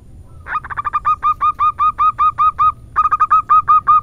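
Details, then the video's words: Local female zebra dove, 'irama manja' song style: a fast run of bright, slightly rising cooing notes repeated more than twice a second, broken by one short pause, over faint low rumble. "Perkutut BETINA Lokal irama MANJA"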